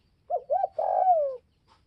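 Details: Northwest Vietnamese spotted dove giving a provoking call aimed at rival doves, two quick looping coos then one long sustained coo gliding down in pitch, clean and clear.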